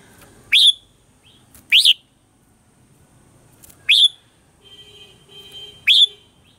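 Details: Red-whiskered bulbul giving the 'old forest voice' morning song used to train birds: four clear, upslurred whistled phrases about a second or two apart, with a faint steady tone underneath toward the end.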